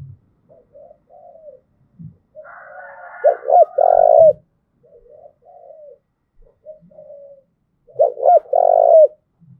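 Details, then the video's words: From Đồng Nai, a spotted dove's thúc gù coo for training decoy birds: soft low coos, a rougher higher-pitched burst, then two strong phrases of quick double notes and long vibrating coo, with low knocks. "tiếng cu thúc gù hay"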